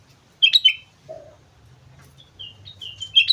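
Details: Lively song of a sooty-headed bulbul from Mount Slamet: a pair of bright slurred notes, a lower short note, then a run of clear whistled phrases that rise and fall, ending in a bright flourish over faint background hum.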